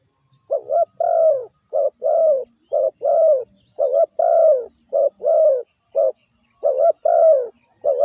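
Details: Spotted dove kept in a cage, used as a lure bird to call in wild birds, giving deep cooing notes in quick bursts, each short coo followed by a longer falling one, repeated steadily with brief gaps; no other sounds.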